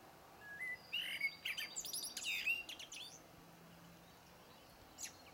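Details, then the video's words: Blackbird delivering low, rising fluted notes that dissolve into a dense, high, chattering twitter, fading into quiet with one last faint squeak. "chant du merle"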